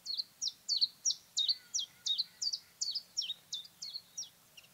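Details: Common chiffchaff singing a slow, very regular, high, clear, moderately loud song of simple two-note chiff-chaff units, about thirteen notes in five seconds; a bird of parks and gardens.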